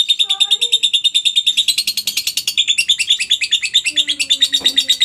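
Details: Lovebird ngekek, recorded as training material for other lovebirds: steady fast chatter of high sharp notes, about three per second, over soft lower whistles from other birds.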